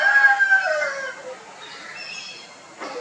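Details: Chicken crowing on a poultry farm in India among Italian and desi hens while birds establish territories; a harmonic, drawn-out call slides downward and fades within about a second, then quieter farm sounds and a brief burst near the end.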